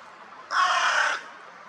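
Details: A crow gives one harsh, hoarse, rasping caw about two-thirds of a second long against faint hiss; the crow was pushing in ahead of others and being put in its place.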